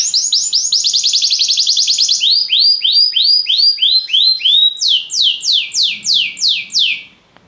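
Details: Belgian canary song: a rapid rolling trill of falling notes slows into evenly spaced downward-slurred whistles, about three per second, then shifts to higher, louder sweeping notes before stopping.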